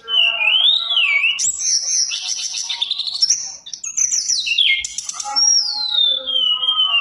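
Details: Mountain tailorbird in full, energetic song with a rich fill, meant to trigger silent tailorbirds into singing; thin wavering whistles rise and fall, interrupted by dense buzzy bursts, ending in a long, slowly descending whistle.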